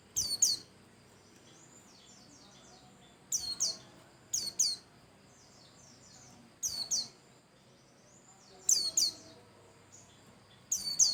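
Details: Lively pleci (white-eye) song for prompting other birds to sing: clustered bursts of piercing, downslurred whistles, often two or three together, recurring roughly every two seconds, with light twitters between and a low background hiss.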